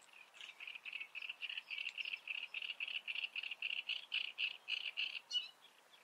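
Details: Great reed warbler singing a steady run of harsh, grating notes repeated about four times a second for five seconds, even in pitch and loudness, before a brief higher flourish at the end; the background is otherwise quiet.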